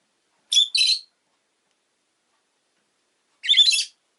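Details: Rosy-faced lovebird, a pet kept indoors, giving two bursts of harsh, buzzy, squawking chirps about three seconds apart, the first a quick double note; silence between them.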